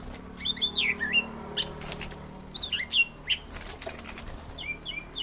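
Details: Greater green leafbird song played as therapy for caged birds: quick, twisting whistles and slurred chirps in short bursts, mixed with scuffing and flapping noises and a low background hum.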